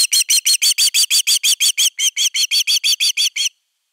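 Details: Osprey defending its nest, filmed by a Finnish nest camera on 31 August 2021: a fast, steady series of about eighteen shrill, piercing whistled yelps, roughly three per second, with one short gap midway before stopping abruptly.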